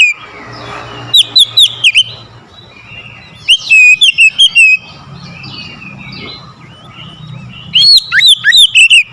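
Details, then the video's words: Oriental magpie-robin, provoked to challenge a rival, gives three bursts of loud song: rapid strings of four to six sharp whistled slurs, separated by gaps of soft chattering and a low background hum. "KICAUAN KACER POWER KERAS | MEMANCING EMOSI KACER LAWAN LANGSUNG NGOTOT BONGKAR ISIAN"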